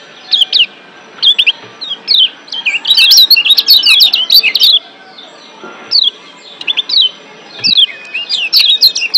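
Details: Lombok white-eye, a wild yellow kecial excited in breeding condition, delivering bursts of very high, rapid twittering and downslurred whistles, loudest in the middle, broken by short pauses.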